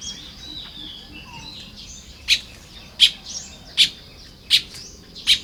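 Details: Baya weavers at their nests in Lopburi, Thailand, early on 1 May 2026, giving loud, sharp chips roughly every three-quarters of a second over a soft background of high twittering.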